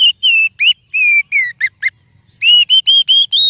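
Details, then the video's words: Magpie-robin lure song of loud, pure whistles. Steady and falling notes are mixed with short, abrupt upslurs, then a string of evenly spaced whistles climbs step by step in pitch. "Suara Burung Kacer Yang Sangat Indah,Cocok untuk Pancingan"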